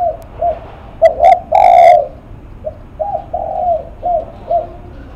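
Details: Spotted dove described as a face-shaking cooer delivers one loud phrase of two clipped coos and a long rough coo. A fainter dove's repeated coos run before and after.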